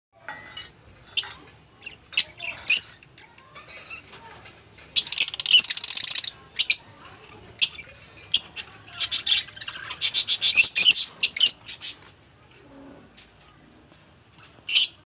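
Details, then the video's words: Lovebirds kept in Shahjahanpur, Uttar Pradesh, India: harsh, shrill screeching bursts and sharp chirps in irregular clusters, some lasting over a second, separated by short pauses. "Love bird"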